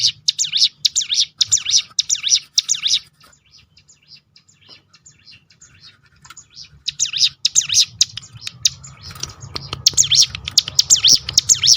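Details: Hill prinia (ciblek gunung) delivering 'tembakan' rolls meant to stir other birds to sing: fast runs of piercing swooping notes, a quieter gap of sparse chirps, then denser overlapping bursts over background hiss.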